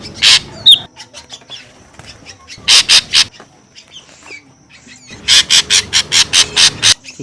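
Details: Ashy drongo calling noisily as a lure: loud harsh bursts in pairs and triplets with quiet chips between them, then a fast run of about seven scratchy notes.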